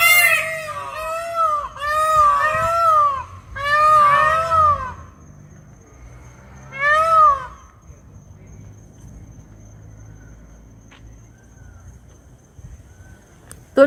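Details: Several peacocks near a swamp in Melbourne at dusk, one perched in a tree by the road, give loud, wailing, nasal cries, about five over five seconds, then one more after a pause, before quiet.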